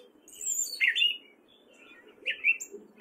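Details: Gray catbird male singing in spring, Fairfield, Iowa: a few sharp squeaky phrases, one high and bright, another a short slurred note, set apart by a quiet pause.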